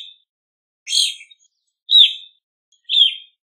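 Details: Three loud, slurred chirps from an evening grosbeak, roughly one per second, each note dropping slightly in pitch and sounding burry and full.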